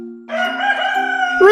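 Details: Rooster crowing: a long, loud, harmonic-rich crow held steady for over a second, set over a soft sustained musical tone.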